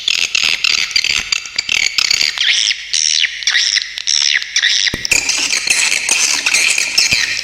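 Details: Swiftlet chatter from tutor material for songbirds: high rasping twitters, then a run of looping up-and-down whistled notes, then dense buzzy chatter again, with sharp besetan accents.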